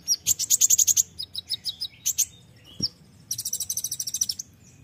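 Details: Spirited olive-backed sunbird (konin) song: a rapid stuttering series of piercing high notes, a run of spaced chips, a short pause, then a fast buzzy trill with bursting tembakan style.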